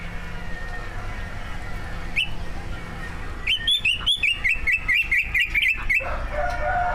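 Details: Greater green leafbird, one of two caged competition birds singing a song full of learned imitations, used to provoke other birds into singing: a lone note, then a quick run of sharp, warbled, chirping phrases about three per second, over steady low rumble.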